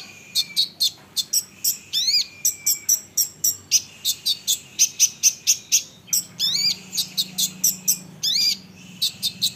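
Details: Olive-backed sunbird pouring out quick series of piercing high chips, mixed with rising slurred notes and short thin whistles; a song intended to draw answers from other sunbirds.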